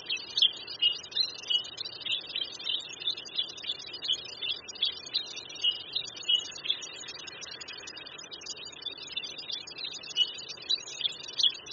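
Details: Black bulbul of the white-headed subspecies found on China's east coast, near West Lake, Hangzhou, Zhejiang. Bright, high chirping notes repeat steadily through the whole recording, about two to three per second, with soft background noise.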